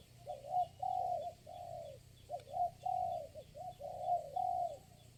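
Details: Spotted dove at a trapping site with lure birds, a single wild bird responding: soft, fairly distant coo phrases in a steady run, over constant low hum and background hiss.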